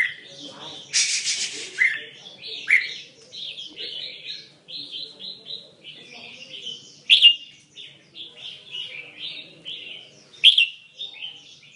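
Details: Red-whiskered bulbul giving a long varied mixed-repertoire song of quick chirped and warbled notes, about eighteen phrases a minute, with a brief harsh rasping burst near the start and occasional sharp accents.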